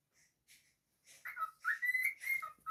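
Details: Pet cockatiel singing: a few soft quiet chirps, then louder whistled notes that rise, hold steady and dip, building into a short clear whistled phrase.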